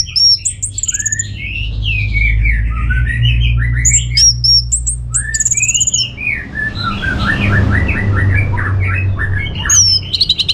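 Orange-headed thrush pouring out a rich, varied song of quick whistles, slurred notes and squeaky mimicry phrases, over a steady low hum.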